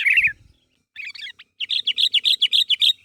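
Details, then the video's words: Sooty-headed bulbul calling to prompt others to reply: a brief rough chatter and a jumbled phrase, then a crisp run of about ten evenly spaced ringing notes. "Suara Burung Kutilang Gacor Memanggil Temannya Agar Bunyi"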